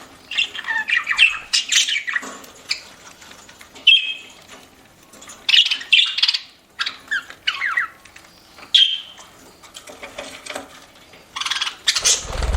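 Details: Pet budgerigars chirping while eating: a busy mix of scratchy chatter, short squawks and warbled notes, with soft crunching and clicking between calls.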